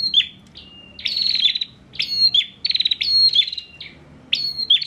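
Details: A bar-winged prinia from Pemalang, Central Java, used as a fighting-song tutor bird, sings loud, high, strident phrases of sharp notes and rapid buzzy trills, repeated about once a second over a faint low hum.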